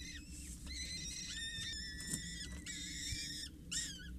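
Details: Begging from four peregrine falcon nestlings aged 6-8 days during a feeding by a parent at a Scheveningen water tower, 8 May 2023: overlapping, harmonic, whining squeals, some sliding downward, in quick bursts, with low rumble behind.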